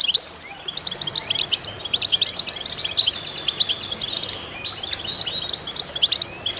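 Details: Chorus of goldfinches, bright high chirps and twittering phrases overlapping densely, with buzzy trilled passages woven through.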